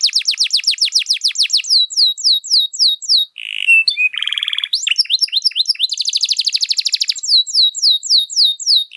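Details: Canary with a long, lavish song used as a lure or tutor: fast falling trills, a harsh squawky break, then a dense buzzy rattle and more rapid downward notes.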